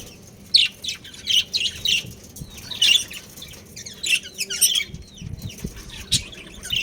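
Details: Breeding pair of pet budgerigars chirping: bright, scratchy high chirps in short bursts about every half second, with a steady low hum underneath.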